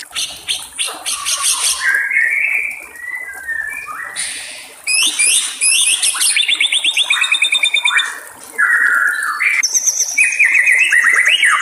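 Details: White-rumped shama singing in the wild beside trickling water: a varied, loud run of clear whistled phrases, slurred notes near two kilohertz and bursts of rapid high trills, shifting pattern every second or two.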